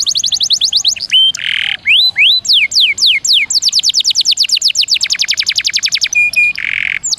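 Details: Canary singing energetically in rolling, fast song: rapid runs of high, thin repeated notes, sweeping downslurs and buzzy bursts, delivered without pause.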